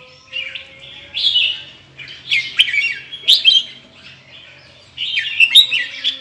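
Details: Red-whiskered bulbul of Indonesian origin with big red cheek patches, singing in the 'ché' chattering style: short bursts of rich, tumbling warbled phrases separated by brief pauses, with a few sharp high ticks and a faint low hum beneath.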